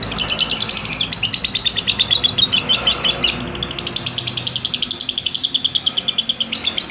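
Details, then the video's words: Lovebird performing its long ngekek chattering song: rapid, evenly pulsed high chirps repeated about seven times a second, continuing almost unbroken with a brief dip near the middle. "Love Bird Ngekek"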